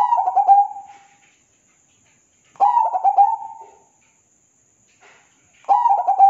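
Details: Master recording of perkutut, the zebra dove, for teaching cage birds: three repeated phrases of clipped, rattling coo notes that slide into a long steady trailing coo, spaced roughly every two and a half seconds, over a faint high whine.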